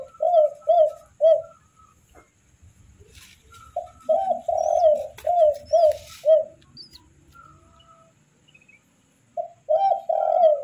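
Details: Baby spotted doves (tekukur) begging while being fed: bursts of short, tremulous mid-pitched whining notes in quick runs, separated by pauses, with faint higher chirps and handling noise between.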